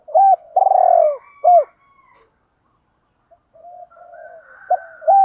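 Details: Spotted dove used as a decoy, calling wild birds with 'chiêu hai hậu' cooing: a clipped note, a long rolling purr and a hooked note, then a pause. Faint murmuring coos build into two more short, bright notes.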